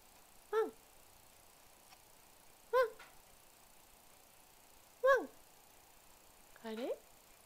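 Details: Pet white-bellied caique barking indoors: four short, nasal, barking notes spaced about two seconds apart, each with a quick downward slide, against a quiet room hiss.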